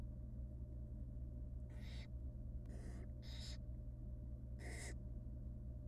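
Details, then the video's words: Wild barn owl chicks begging in a nest box as their mother hands them bits of rabbit; four noisy hissing screeches, two close together mid-clip, over a continuous low hum. "Female barn owl feeds her nestlings tiny pieces"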